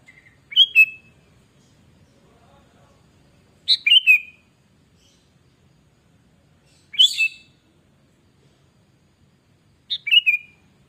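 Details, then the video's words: A sooty-headed bulbul sings energetically as a lure to set other bulbuls singing: four crisp whistled phrases of two or three quick notes, repeated about every three seconds against a quiet background. "Kutilang Gacor Pancingan"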